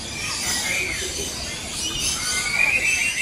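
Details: A flock of lories and lorikeets at Jurong Bird Park, Singapore, gives a constant wash of harsh, high screeches and chatter, many birds calling over one another at a rapid, uneven pace.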